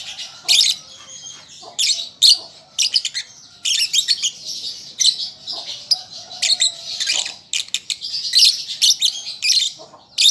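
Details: Young lovebird practising its song in a long, restless stream of shrill chirps, scratchy buzzes and squeaks, nearly unbroken with brief dips in loudness.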